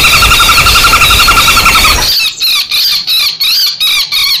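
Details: Lure sound for common flameback mixing fight calls and distress screams: a dense, loud rattling trill of grating notes gives way to rapid separate shrill shrieks, repeated evenly nearly three per second.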